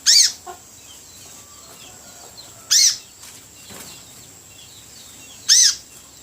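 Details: Spiderhunter known locally as sogok ontong, recently caught and beginning to call freely; three abrupt, piercing high notes about two to three seconds apart, each short and arched, over quiet background with faint twitters.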